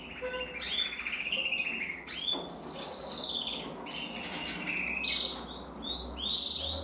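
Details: Male canary hatched in 2024, red mosaic agate, singing while caged with an older bird nearby; varied warbled phrases of whistled notes and trills, sliding tones and rapid chirps, fairly continuous with brief pauses.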